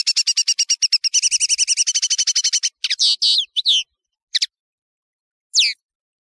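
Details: High-quality European serin song used for tutoring serins: a long, rapid run of evenly repeated high, tinkling notes forming a continuous jingle, then a few buzzy twisting phrases and scattered single chirps.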